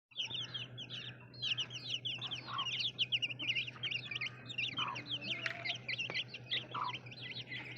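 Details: Baby chicks in a dense chorus of high, sharply falling chirps that overlap continuously. A steady low hum runs underneath throughout.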